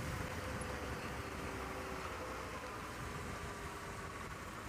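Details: Outdoor hiss and low vehicle-like drone with faint steady tones, but no animal calls.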